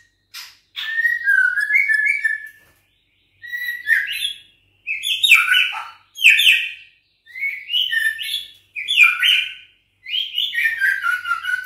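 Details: Six-week-old juvenile white-rumped shama of Bahorok lineage, trained to sing back against a recorded rival. Phrases of whistled, chattering notes sweep between rising and falling pitches in bursts of about one to two seconds, separated by short pauses.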